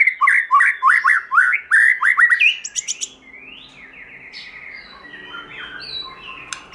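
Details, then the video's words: White-rumped shama singing a forest-style song: a fast series of loud repeated downslurred whistles, roughly three per second, breaking into softer varied warbling and sliding notes over a quiet background. "Chòe Lửa Hót Giọng Rừng"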